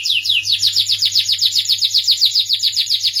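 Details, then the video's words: Starblue canary in melodious song, delivering a rapid, even trill of rising-then-falling chirped notes, several per second, bright and high, with a faint constant electrical hum in the background. "suara merdu kenari starblue"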